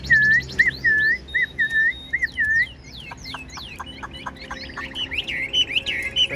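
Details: Fan-tailed caged Chinese hwamei singing without stopping: a row of clear looped whistles, then quick downward flicks and sharp repeated clicks, closing with bright wavering whistles.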